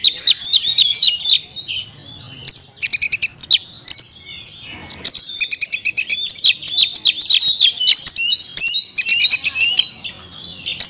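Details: Oriental magpie-robin (kacer) in captivity performing an 'isian mewah' song, a dense stream of bright whistles, quick repeated clicks and slurred high phrases with a brief pause near the middle.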